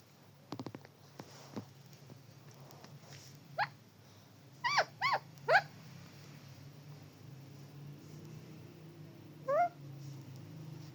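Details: Parrot giving a few short sharp chirps spaced over several seconds: a quick cluster of three near the middle, then one more after a long pause, amid low background hum.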